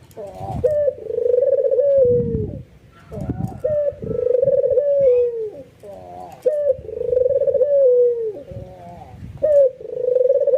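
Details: Albino white ringneck dove cooing emotionally with full nods, drawing other doves to join; a series of low, drawn-out coos each starts with a sharp short note, holds steady, and falls away, with low knocking noises between them.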